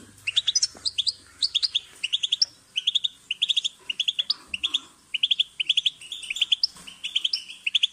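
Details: Singing European goldfinch: lively, high-pitched twittering in short, tight clusters of chirps and liquid trills, repeated almost without pause. A few faint low knocks sound early on.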